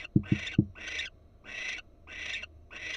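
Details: Barn owl on a Florida nest camera, female alert: hoarse rasping screeches repeated about twice a second, opening with three sharp low knocks.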